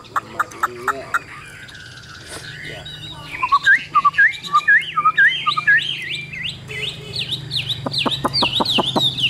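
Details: Caged Chinese hwamei with a yellow bill: scattered clicks give way to a lively stream of repeated, sharply slurred whistles, then closing ticks in quick succession.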